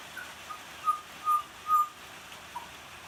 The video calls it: Butcher bird singing in the rain